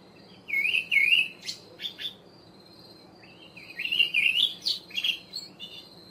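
An olive thrush gives two short, fluty warbled phrases about three seconds apart, mixing sliding whistles with a few higher, thin notes.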